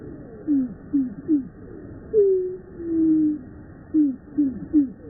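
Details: Purple Martins at one of the largest backyard colonies in the U.S., in Finger, Tennessee, with the calls slowed down: a series of short, low, downslurred notes, then a longer drawn-out falling note, then three more quick slurred notes.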